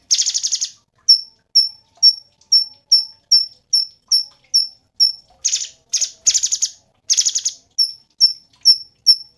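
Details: Cungkok, a songbird valued for training other singers, gives a run of sharp high chips with a few buzzy, rattling trill bursts mixed in, about two notes per second.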